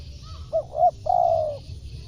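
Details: Spotted dove call used to lure wild birds: two short soft coos followed by a longer, steady, mellow coo, low and hollow-sounding over faint background hiss.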